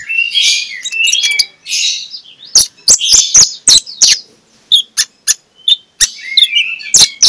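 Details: Morning lure song of an Oriental magpie-robin in ngeplong style, meant to wake sluggish birds into singing. A rich, full warble opens, then sharp, spaced, high ticks and short whistles follow in an uneven rhythm.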